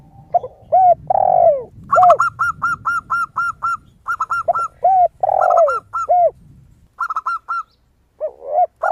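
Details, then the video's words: Zebra dove (perkutut) in full lively song with a crystal-like voice, meant as a lure: bursts of quick high hooked notes, several runs in a row. A spotted dove's low sweeping coos are interspersed, and there is a brief quiet gap near the end. "PERKUTUT GACOR suara kristal"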